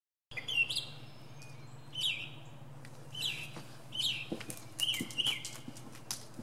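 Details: Northern mockingbird singing from the top of a pine tree, mimicking many different sounds: short varied chirps and slurred notes, each phrase different, spaced about a second apart, over a steady low hum.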